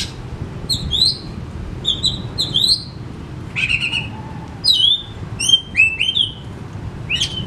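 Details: Oriental magpie-robin in full song, bursting into its repertoire: a run of varied, sharp whistled phrases, some rising, some falling, in quick clusters with short pauses, plus a brief harsh chatter, over low background rumble.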